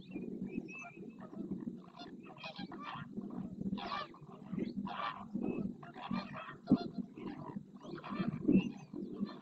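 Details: Flamingo group display in Doñana National Park marshland at El Rocío, Almonte, Spain, birds stretching necks, flicking heads, opening wings and splashing; a dense, continuous babble of harsh honks and grunts over a low rumbling chorus.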